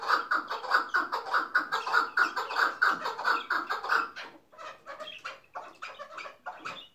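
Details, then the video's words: Tethered hunting-decoy chukar partridge in the hıngırmacı calling style: about four seconds of loud, even, rapidly repeated chuck notes, then a looser, scratchier series of shorter clucks with uneven spacing. "KEKLİKLERİN KIRALI HINGIRMACI PAT 39 PARTRIDGE SOUND BIRD SOUND"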